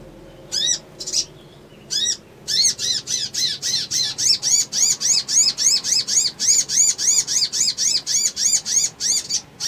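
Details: Crimson sunbird in ngriwik, ngleper and trotol styles, used as a lure to provoke an emotional response: sharp, high arched notes, a few spaced at first, then a fast even run of about four per second.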